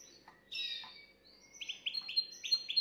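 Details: Canary song aimed at exciting a female: a few soft notes, then a quickening series of bright rising chirps repeated about every quarter second.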